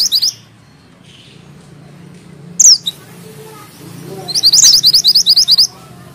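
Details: Mountain bushchat (mantenan gunung) singing with tight rolling phrases and sharp notes: a short trill, a quiet pause, a loud high downslurred whistle with a follow-up chip, then a long run of rapid, high, rattling chips.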